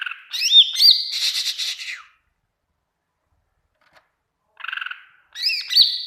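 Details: Energetic greater green leafbird song used for training other birds to reply: a dense run of sharp, high rising and falling whistles and chattering notes, a pause, then a lower buzzy phrase followed by more bright slurred whistles.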